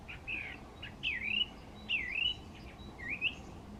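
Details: From a treetop by a path near a hide at the East Coast Nature Reserve, Co. Wicklow, Ireland, in late winter or early spring, a song thrush gives four loud clear whistled phrases, each dipping then rising, separated by short pauses.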